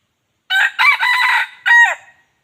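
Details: A red junglefowl, or wild chicken, crows, a sound said to attract chickens strongly; four rough syllables, a short opener, a long middle stretch, a pause, then a downward-sliding last note, over a clean, quiet background.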